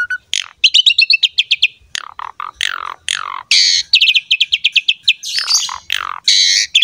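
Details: Asian pied starling in energetic, pumping song played to draw other starlings into singing: dense run of rapid chirps, buzzy rasps and falling slurs with almost no pauses.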